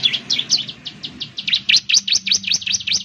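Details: Ciblek bird lure in gacor style: a fast, nearly continuous stream of high, buzzy, down-slurred chirps, about five per second, with low murmuring noise beneath.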